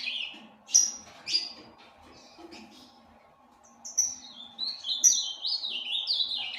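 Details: A breeding Ultramarine grosbeak in captivity gives a few separate sharp notes, a quiet gap, then a rapid zigzag warble of descending slurred whistles.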